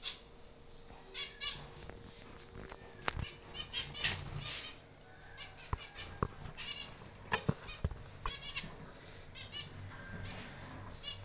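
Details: Breeding-aviary zebra finches calling with short nasal beeps among sharp clicks, knocks and wing flapping from the cage, over a steady low hum.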